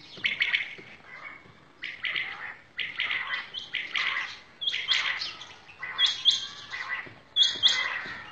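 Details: Several common quails (batair) calling in a village at Shahbazkhel, hunting setting: overlapping bursts of sharp, high triple notes follow one another closely, with a few thinner, higher chirps near the end.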